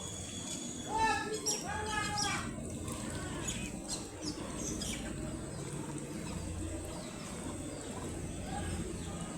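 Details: Baby ducklings in a brood, playing and exploring their surroundings. A quick burst of loud, rich, harmonic peeps comes in the first few seconds, several in rapid succession, then fades to quieter rustling and low background noise.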